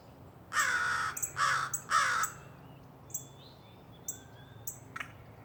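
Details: Crow calling from a tree in a backyard in Raleigh, North Carolina: three harsh, hoarse caws in quick succession, then quiet with faint high chirps of small birds in the background.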